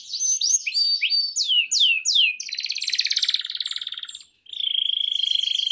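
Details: Canary in long, continuous song used to trigger other canaries and train young ones: quick falling whistled sweeps, then a sustained buzzy rattle, a brief pause, and a steady high rolling trill.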